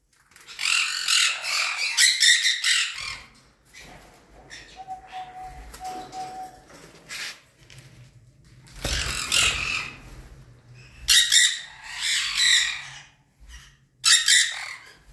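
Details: Sun conures, kept as DNA-sexed pairs, give harsh, shrill screeching bursts in several loud bouts with short quiet gaps.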